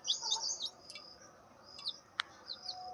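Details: Turkey chicks giving sharp, high-pitched peeps in a quick, irregular burst at the start, then a few scattered single chirps over quiet background hiss.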